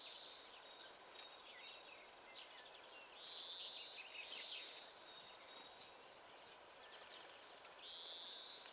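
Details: Dunnock in spring, the first of the season, giving short, high, fast jingling warbles, three bursts about four seconds apart, with faint chirps between and a quiet outdoor hiss.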